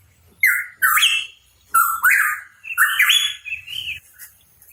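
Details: Hooded pitohui singing vigorously, three loud phrases, each a harsh noisy burst that runs into a clear whistled note stepping upward, with short pauses between phrases.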